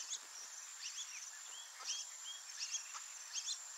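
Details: Wild Brazilian teal pair with ducklings in breeding season: short high chirps and upslurred peeps come in loose bursts about once a second over a steady high insect whine.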